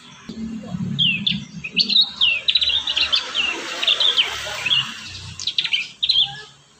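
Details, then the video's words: Prinia song for conditioning young birds to sing: a continuous run of high, rapid chirps and trilled notes over a background hiss. "Masteran | pancingan burung prenjak muda | prenjak bakalan"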